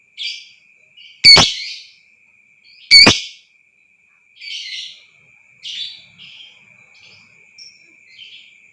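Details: Lovebird sound played to provoke trilling (ngekek panjang): two loud, sharp shrieks about a second and a half apart, followed by softer scattered chirps and scratchy notes fading out, over a faint steady high tone.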